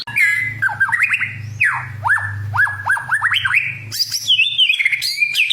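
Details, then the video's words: White-rumped shama, a fighter-type bird whose song is used to provoke emotion in other birds, singing loud varied whistled phrases: rising and falling slurs and quick upward sweeps, ending in higher ringing notes, over a steady low hum. "PANCINGAN SUARA BURUNG MURAI BATU GACOR"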